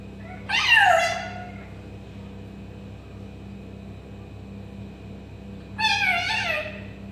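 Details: Pet African grey parrot imitating a cat: two drawn-out, meow-like descending wails, one near the start and another about five seconds later, over a low steady hum.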